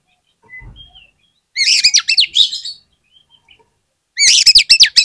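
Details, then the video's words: Oriental magpie-robin lure song, meant to get other magpie-robins singing: a faint low whistle, a rapid run of bright, looping high notes, quiet ticks, then a loud burst of fast, clipped, repeated notes. "PANCINGAN KACER ANTI GAGAL !! KACER APAPUN DI JAMIN LANGSUNG NGOBRA ON NGUNCI"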